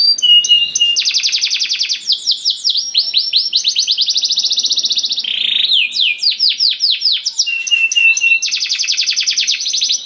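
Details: Canary delivering 'gacor' rolling song to encourage other canaries to sing: dense fast trills, bursts of sweeping whistled notes, and flat steady tones switch back and forth throughout.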